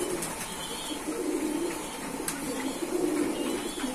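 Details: Domestic pigeons in a loft coo in low, bubbling, drawn-out phrases, several overlapping, with occasional clicks and a faint chirp.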